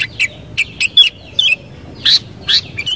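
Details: Sooty-headed bulbul (kutilang) singing: short bright chirped notes, some sliding or burry, given in loose bursts with brief gaps over quiet low background hum.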